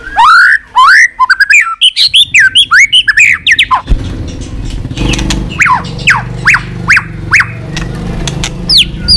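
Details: White-rumped shama with continuous 'tạch' calls, used to energise weak birds: dense whistled phrases, then sharp downslurred notes repeated over loud engine-like rumbling.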